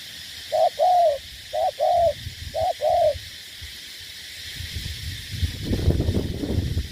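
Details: Decoy spotted dove from Ca Mau, Vietnam, kept for ground decoy fighting, repeating three pairs of hollow coos, a short note then a longer one, followed by rustling and handling noise.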